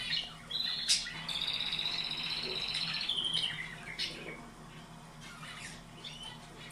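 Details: Canary song for domestic birds, meant for twice-daily playback, tagged for mating and nesting: a sharp note, then a long even buzzy rolling trill lasting about two seconds, then scattered softer chirps fading away, with a faint background hum.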